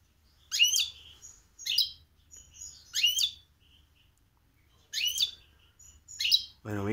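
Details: Goldfinch × canary hybrid (mixto), a cage bird, gives short sharp twittering chirps in separate bursts about every second, with quiet pauses and a faint low hum between, and a man's voice starting at the end.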